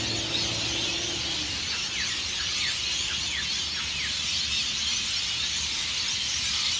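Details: Hundreds of rainbow lorikeets around take-off from Norfolk Pine roosts at Burleigh Heads Beach, Australia, before sunrise; a dense high screeching roar with a run of quick falling squeals in the middle, after a brief low tone at the start.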